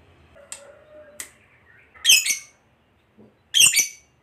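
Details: Lovebird, fighter type, with faint clicks and a low hum, then two loud, harsh, shrill squawks about one and a half seconds apart.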